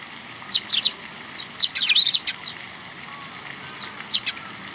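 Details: Young sparrows come to be fed at a Tenmangu shrine, 18 May 2021. Loud clusters of sharp, high chirps arrive in rapid bursts with short pauses between them against a quiet background.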